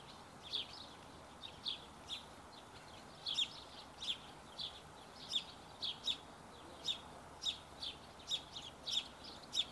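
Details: Barn swallow chicks being fed give short, high squeaky chirps, repeated about twice a second in irregular bursts, over a faint steady background hiss.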